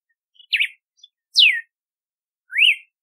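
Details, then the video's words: Three whistled notes from a red-cowled cardinal: a quick zigzag phrase, a long falling slur, then a rising upslur ending in a brief level tone, spaced about a second apart. "Canto do Cardeal do Nordeste / Galo de Campina / Campina | Red-cowled Cardinal | Paroaria Dominicana"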